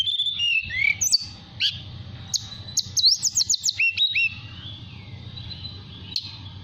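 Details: Mountain tailorbird kept caged in Purworejo, Central Java, sings a relaxed fluting song to call a female: long high whistles, a burst of fast rising notes around the middle, then a trailing thin whistle.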